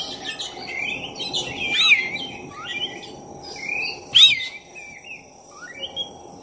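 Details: Energetic song of a black-breasted oriental magpie-robin, used to provoke a rival: a dense run of varied slurred whistles and chatters, with one loud harsh, sweeping note near the middle, over a constant low hum.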